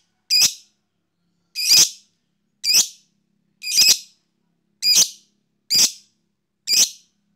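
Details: Fighter lovebird calls used as provocation to make a rival lovebird start chattering: seven loud, harsh, shrill shrieks, each short and clipped, spaced roughly one second apart in a steady series, with no other sounds.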